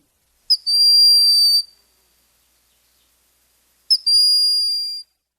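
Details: A Broad-winged Hawk, a quiet raptor of summer woods, gives its plaintive call: two thin, high, level whistles about three seconds apart, each lasting about a second, with silence between.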